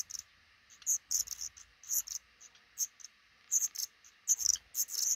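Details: Black redstarts nesting under the roof over a front door, parents raising five young; high, piercing notes tumble in quick uneven clusters separated by brief pauses, with faint low thumps beneath.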